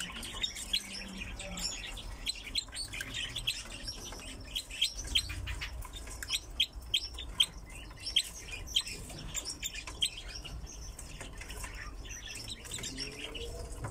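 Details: Captive crossbills kept with pine grosbeaks give a dense chatter of short, sharp chips and twitters, overlapping irregularly throughout, with other finch-like calls mixed in over a low background hum.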